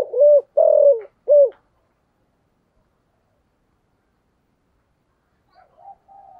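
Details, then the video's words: Spotted dove decoy bird cooing in the 'giọng thổ' voice style: three low, hollow coos, the middle one drawn out, followed by a long silence and a few faint, soft notes at the end. "Chim Cu Mồi, cu gay giong tho cuc dinh, cu gáy giọng thổ"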